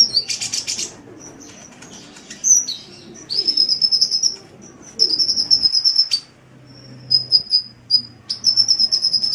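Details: Kolibri (sunbird) song for tutoring cage birds: an opening buzzy burst, then sustained shrill trilled whistles held for a second or more, broken by brief pauses, with a faint low hum beneath.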